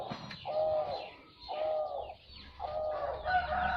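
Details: Zebra dove singing: three drawn-out, purring coos, each about half a second long, repeated about once a second with short gaps between them, over a faint background murmur.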